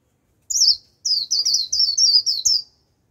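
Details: Japanese white-eye kept as a decoy to draw in a wild flock, singing its 'líu' song: a rapid chain of high, thin, wavering whistled notes sliding down in pitch, about two seconds long.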